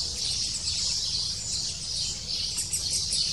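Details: A lesser spotted woodpecker chick in the nest gives a constant, high-pitched, buzzy chatter of begging calls to its parents, excited as the female arrives with food, unbroken throughout, over a faint low rumble.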